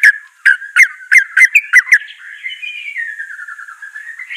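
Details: White-rumped shama song aimed at getting a lazy bird to start singing: about seven sharp accented chips roughly three per second, then a long wavering whistled trill that slowly drops in pitch.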